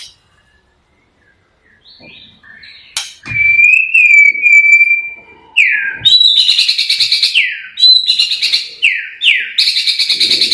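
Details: White-rumped shama in the blorok style, played as a lure to provoke other birds: quiet start, then a long, level, sustained whistle, followed by loud, repeated falling whistled notes delivered in quick, intense bursts.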